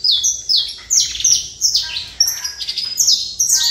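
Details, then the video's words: Saffron finch singing a run of bright, high, downslurred notes, each phrase dropping sharply in pitch, delivered in quick bursts with brief gaps. "Canário da Terra"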